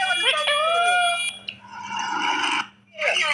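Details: A pet ringneck (rose-ringed) parakeet talks to a person, chattering in shrill, speech-like phrases with sliding whistled syllables and a raspy burst, over a steady electrical hum.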